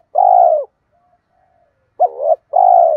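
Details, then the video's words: Spotted dove, male and female, cooing to prompt other doves to call: a steady held coo, a long pause, then a wavering coo followed at once by another drawn-out even coo, loud and clear without background sounds. "giọng chim cu gáy thúc gù dồn ép bổi lười gáy ức chế phải gáy theo"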